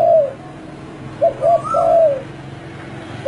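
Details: Spotted dove song: a falling coo, then two short coos and a long drawn-out descending coo, with a brief coo closing the phrase over a quiet background.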